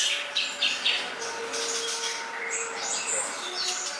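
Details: Rapid high chirps and twittering phrases from a greater green leafbird, described as an easy song to learn. A sustained low tone runs under part of the passage.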